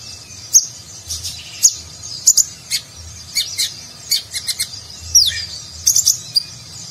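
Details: Kolibri ninja, or konin, a sunbird, singing a rich 'nagen'-style fill as training material for contest birds; spaced, piercing high tweets and short downward-slurred notes come in irregular bursts, with low rumbling in the background.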